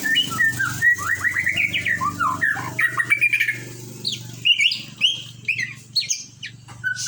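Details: Murai batu, the white-rumped shama, pours out a sweet chain of slurred whistles, then sharper high notes, against a steady low hum.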